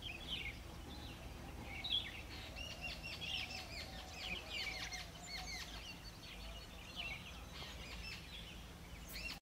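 Bee-eaters give bursts of short, rolling chirps, several overlapping and repeated throughout, over a steady low rumble of background noise.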